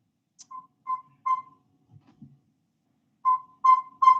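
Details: Northern saw-whet owl in Vermont giving its breeding-season song at night in spring: clear, mellow whistled toots on one steady pitch, about two or three per second, like a truck backing up, with a brief gap and faint murmuring between.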